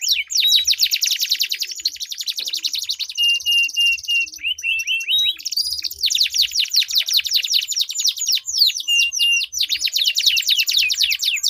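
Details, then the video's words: Two canaries in a long, continuous rolling song used to draw silent canaries into singing: dense high trills and rattles with brief whistled tones, running almost without break. "Duel Burung Kenari Suara Merdu Ngerol Panjang || Pancingan Ampuh Kenari Macet Gacor Ngerol Panjang"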